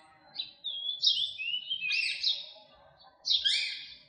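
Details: Philippine magpie-robin whistling, April 14, 2022: a few clear whistled phrases with upward slurs and a bright trilled burst, separated by short pauses, ending on a higher sweeping note.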